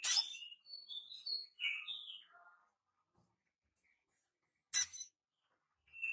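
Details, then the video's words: Young crimson sunbird, a small brightly coloured nectar-feeding bird, practising its song: a sharp high chip, then a quick run of short thin chirps and warbled notes, a pause of silence, and another sharp chip. "Sogon Trotol Belajar Bunyi Gacor - Sogon Cit Citt"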